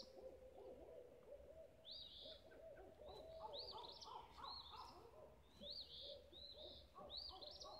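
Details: Birds singing at sunrise on Bird Haven Lane, Olivehill, Tennessee: a dense chorus of overlapping voices, with high, bright slurred phrases recurring above lower, mellow warbling notes throughout.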